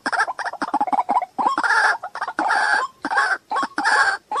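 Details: White-breasted waterhen in a loud, harsh, croaking bout: quick clucks broken by long, grating, braying phrases repeated about once a second.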